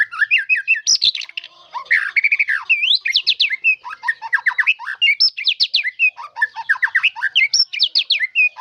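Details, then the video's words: White-rumped shama in a long, varied song: dense strings of fast chattering notes, squawky bursts and whistled sweeps, repeated in tight clusters without a break. "Suara Burung Murai batu dengan Isian mantap"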